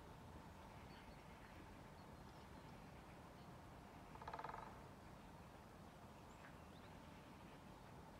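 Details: Male great spotted woodpecker (Dendrocopos major), one of a pair, drumming at intervals by a hospital-home entrance in Sundsvall, Sweden, 5 February 2022: one quick, dry half-second drum roll midway, over mechanical hum and low rumble.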